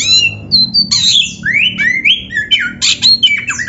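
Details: Training recording of an Oriental magpie-robin (kacer) song; a high whistle, then a quick run of upward-sweeping whistles and harsh buzzy notes, over a low background hum.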